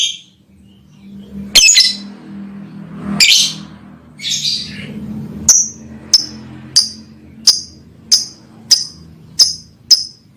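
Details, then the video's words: Lovebird chirping and singing to call a female: a few broad, raspy notes, then short sharp high chirps repeated steadily about every 0.6 seconds over a faint low hum. "Lovebirds Chirping Singing sound To Call Female"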